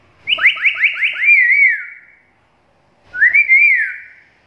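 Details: Chatty black-capped lory in a training and lure recording. A run of quick rising whistled notes flows into a wavering falling whistle. After a pause, a shorter wavy whistle follows.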